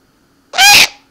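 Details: A captive pet eared owl gives one harsh, raspy screech lasting about a third of a second, rich in overtones, against a quiet background.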